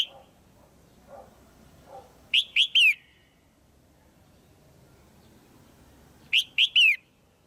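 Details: Caged female red-whiskered bulbul calling to rouse a male or find a pair. She gives two bursts of three sharp whistled notes about four seconds apart. Faint soft chirps come earlier, against quiet background hiss.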